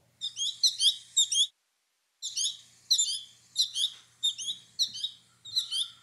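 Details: American goldfinch fledglings in late summer (August) bombarding their mother with high, thin two-note 'chick-pea' begging calls in quick overlapping bursts, with one brief pause, over a faint low hum.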